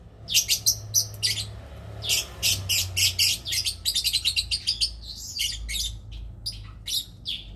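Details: Lovebird in mating, a fast stream of shrill high chirps repeated about three times per second, chattering and squeaky, with occasional thin whistled notes and a low hum beneath.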